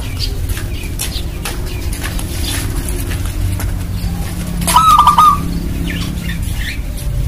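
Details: Local zebra dove (perkutut) singing to lure other doves into calling: a single brief staccato trilled coo phrase near the middle, set against steady background noise and faint rustling.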